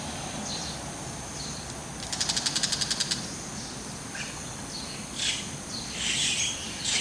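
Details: Bull-headed shrike holding a mantis in its beak, looking around and calling proudly: a quick even series of about ten sharp notes, then scattered faint high calls over steady hiss.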